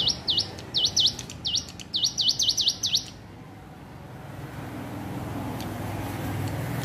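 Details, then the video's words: Hill prinia learning to sing: three seconds of high, clear V-shaped notes in uneven clusters, some doubled, then silence apart from a soft low background rumble. "ciblek gunung belajar bunyi"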